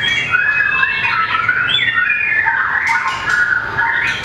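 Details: White-rumped shama, mini long-tailed type, in competition singing: a flowing, continuous warble of looping whistled phrases that rise and fall, rich and melodic, with faint clicks in the background.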